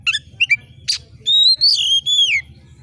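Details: Oriental magpie-robin in full, sharp screeching voice to stir competition birds: quick chirps, a harsh hiss, then loud ringing whistles gliding down at the end, over faint low ticking.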